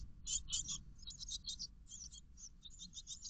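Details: Great tit nestlings, 13 days old, in a garden nest box with a fixed camera, morning of 5 May 2021: bursts of high, thin, hissing chirps crowding together in quick runs, with a low rumbling hum beneath.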